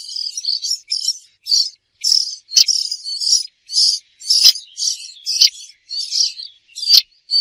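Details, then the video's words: A bird calling in a rapid series of high, thin chirps, bursts coming roughly twice a second with brief gaps, each note bright and sharp; no other sounds stand out. "The sound of a bird"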